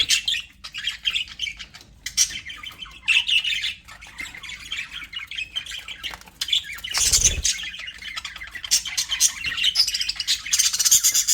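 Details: Aviary budgerigars, described as happy, keep up a steady stream of scratchy high chatter and squawks from several birds, with a brief low bump near the middle.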